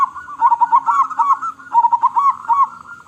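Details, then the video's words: Local zebra dove with a big voice, a keen singer, uttering two rolling cooing phrases of bubbling, wavering notes separated by a brief pause, loud and clean. "Perkutut Lokal Gacor Suara Besar"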